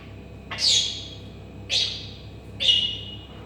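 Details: Whistling African grey parrot: three high, thin whistles roughly one second apart, each sharp at onset and sliding gently downward.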